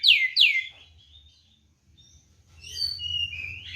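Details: White-rumped shama (kacer) fighting-style ngeplong song used as a lure to provoke rival birds: two quick loud downslurred whistles, a short pause, then softer mixed whistled notes over a faint low hum.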